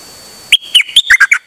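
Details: Dok taeng bird, 8 September 2023, calling without stopping: six loud, sharp chipping notes in quick succession after a short quiet lead-in.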